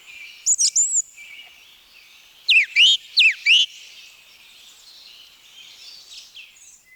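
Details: In forest at Wielkopolski National Park, Poland, a song thrush gives a short high whistled figure, then a loud downslurred, rising phrase repeated three times in a row before falling quiet.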